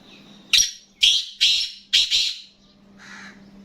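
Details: Kept black francolin giving a short phrase of four loud, rasping, scratchy notes about half a second apart, ending in a softer trailing note, over a low constant hum.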